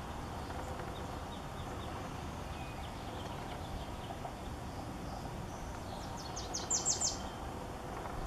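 A Wilson's warbler gives a quick, high chatter of sharp chips lasting about a second near the end, over a steady rushing background of wind or water.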